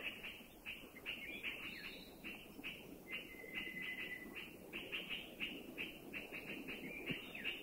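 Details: Puff-throated Bulbuls, forest sentinels that warn of anybody or any danger, recorded in a Thai national park (Khao Yai, Doi Intanon, Doi Suthep-Pui or Chae Son): a busy run of harsh, chattering warning notes, several each second, over a faint forest hum.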